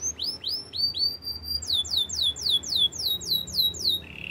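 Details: A canary sings a string of rising-then-falling whistled notes that speed into quick downslurred chips, then ends on a short low buzzy trill.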